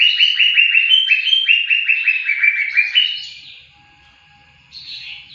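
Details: Training song of a greater green leafbird: a fast chain of clear, downslurred chirps for three seconds, stepping slightly lower in pitch, followed by a fading, quieter warble and a few high notes at the end.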